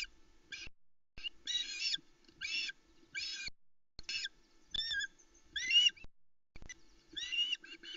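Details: Osprey chicks on a Loch Arkaig nest, early morning of 16 July 2020, calling out in excitement as the male brings a large trout, the first fish since midday before: loud, harsh, squealing bursts repeated roughly every second, separated by short quiet gaps.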